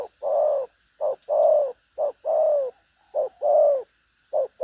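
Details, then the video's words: Spotted dove, a lively trained caged bird, cooing hard. Deep short notes are each followed by a longer drawn-out coo that falls slightly in pitch, in a steady rhythm close to the microphone. "Đồng pha chân cua cứng gù| Nết chơi lăng xăng, thúc gù có lèo"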